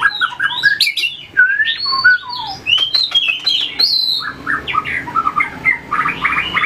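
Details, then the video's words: White-rumped shama practising fighting song while tail-flicking on its perches; quick loud whistles and chattering notes, some long descending slurs, broken by sharp clicks, then a denser twittering passage. "luyện chòe lửa hót đấu,đập đuôi chạy cầu | murai batu"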